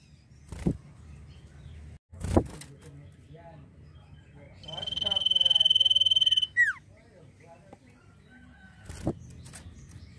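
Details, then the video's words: Common iora giving a nyiul song: a steady, fast-pulsed high whistle lasting about two seconds ends in a quick downward slur, between loud thumps and knocking sounds. "CIPOH GACOR FULL NYIUL"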